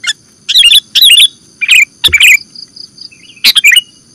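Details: Sooty-headed bulbul, recorded as a bird-trapping lure, giving a few bright chattering phrases of warbled notes with short pauses between, plus a constant faint high hum.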